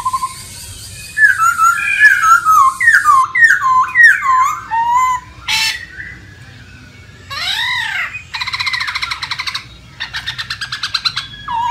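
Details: A masked laughingthrush in the wild gives a quick run of varied, slurred whistled notes, then harsh, rasping squawks and chattering bursts, over a faint background hum.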